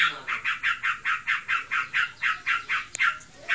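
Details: Captive sooty-headed bulbul in breeding condition, in nonstop ngebren chatter: a fast, regular series of rough, scratchy notes, then a brief click and short pause before the notes resume.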